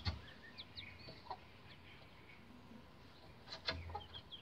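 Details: Rhode Island Red bantam chicks aged roughly 11 days climbing a chicken ladder; scattered high peeps and a few drawn-out whistled cheeps between quieter gaps, with a couple of thuds and knocks.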